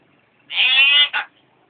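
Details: Hill myna imitating human speech it picked up from hawkers' daily cries outside the house, such as "cari uang perak" and "jualan tape". It gives a nasal, harmonic cry of about half a second, then a short clipped note, in a quiet room.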